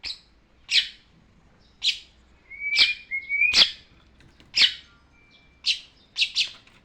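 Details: Long-tailed shrike song used as a tutor for training birds. Spaced, sharp high chips about once a second, with a couple of long flat whistles in the middle.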